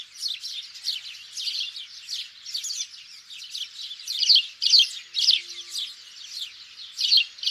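House sparrows chirp busily, with bright, overlapping chips tumbling out more than twice a second, like a small flock calling together. No other sounds stand out.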